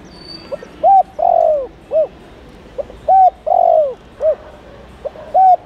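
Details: Spotted dove calling, used to lure wild doves: repeated low cooing phrases, a short soft note followed by a louder rising-falling coo and a drawn-out warbling coo, the pattern repeating about every two and a half seconds, steady background hiss.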